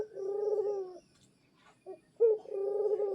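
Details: Captive pet zebra dove calling without pause: a low, vibrating, purring coo about a second long, a brief gap, then a short sharp note leading straight into another rolled coo.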